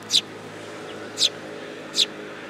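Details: A sparrow arriving for food at a Tenmangu shrine, 8 July 2022: three loud, clipped chirps, each about a second apart, against a quiet steady hum.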